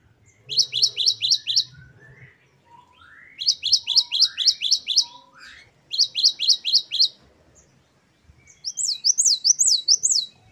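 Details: Great tit singing the 'wucit-wucit' variation used as a tutor recording: four rapid phrases of high repeated notes, the last switching to bouncy rising-and-falling whistles, with softer lower sliding notes between phrases.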